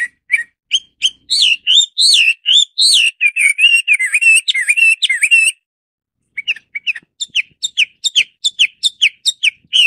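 A Chinese Hwamei sings a rich, fast run of loud whistled and warbled phrases, pausing briefly before resuming with sharper, repeated notes.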